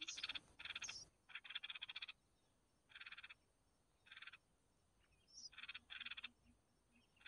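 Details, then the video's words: Red-whiskered bulbul chicks begging as the mother brings food: grating, pulsed rasping bursts in short bouts of about a second, with a few high thin chirps between them. "Chim chào mào mẹ mồi cho con cực hay"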